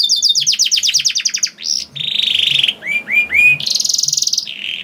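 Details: Canary singing hard with long rolling trills to draw other canaries into song: a quick series of repeated high notes, then sustained buzzy rolls, three rising whistled slurs and another fast even trill.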